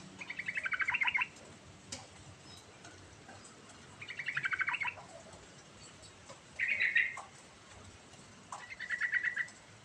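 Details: Rolling, varied song of a yellow-vented bulbul, played to make a silent bulbul sing: four short bursts of rapid bubbling chatter spaced a few seconds apart, with constant background hiss.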